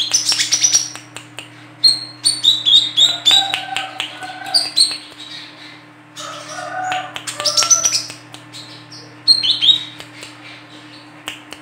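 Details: Lure recording of a female olive-backed sunbird: repeated bursts of rapid, high, sharp chips and trills interleaved with lower whistled tones, continuing for about twelve seconds over a low steady hum.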